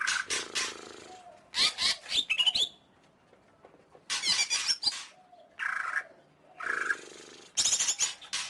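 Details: Greater green leafbird giving a varied song of scratchy buzzing bursts, quick stuttered notes and upward-sliding whistles, with a quiet gap in the middle.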